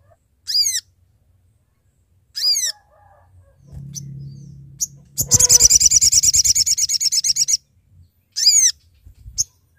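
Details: Sooty-headed bulbul calling companions, a lure for trapping: spaced high descending calls, a low hum, then a buzzy chattering trill of about two seconds, followed by more down-slurred calls.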